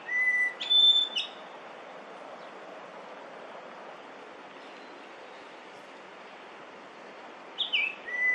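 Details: Yellow-billed grosbeak, a summer visitor in Korea, singing in early May 2024: a clear whistled note near the start, then a long quiet gap before another pair of whistled notes at the end, over steady background hiss.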